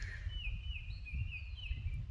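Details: A Baltimore oriole gives thin, wavering high whistles run together for about two seconds, among tree branches, over a steady low rumble of wind or distant traffic; the species is only passing through briefly.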